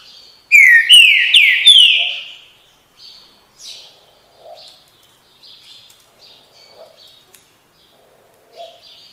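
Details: Green-winged saltator giving its "bom dia seu chico" song: four strong, full-toned whistled notes, each sliding upward, delivered quickly together, followed by quiet, irregular chirping from further off.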